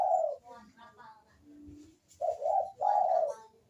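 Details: Barbary dove (burung puter) in full cooing, used to prompt reluctant doves to call: a hoarse coo at the start, a quiet gap with a faint low hum, then two strong throaty coos.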